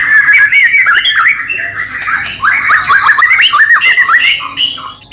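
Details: Shama song, white-rumped, played to spur other shamas to sing: a steady stream of warbled mid-pitched notes, quick zigzag phrases and scratchy chatter without pause.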